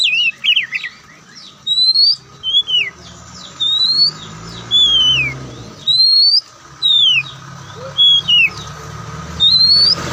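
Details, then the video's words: Kacer Poci, the Oriental magpie-robin known as Kucica Kampung, giving clear, loud whistled phrases about once per second, alternating upslurred and downslurred notes, with soft low rumbling noise and a faint hum underneath. "Kicauan Santai Kacer"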